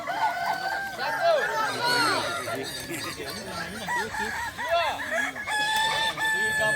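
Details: Several Kukuak balenggek roosters compete at a crowing contest at Sirukam dairy farm, Solok; crows rise and fall in stepped, undulating phrases, overlapping in a continuous chorus with some people talking.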